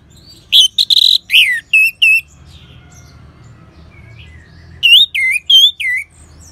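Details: Orange-headed thrush song used as a training sound to prompt other birds to sing: loud, clear whistled phrases of rising and falling notes in bursts, with a harsh note, a pause, then four more swooping whistles.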